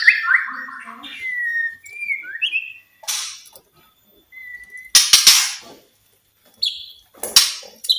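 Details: White-rumped shama song meant to get silent shamas singing: a descending cluster of notes, then separate smooth whistles and a short rising note, broken by loud sharp clicks or snaps.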